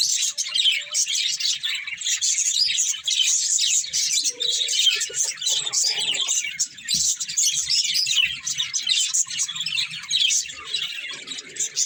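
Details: A colourful breeding pair of budgerigars chatter nonstop with a dense stream of high, scratchy chirps and warbles.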